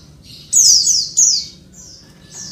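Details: A female Oriental white-eye calling to males gives two loud, thin, very high notes that slide downward, followed by fainter high notes a second later.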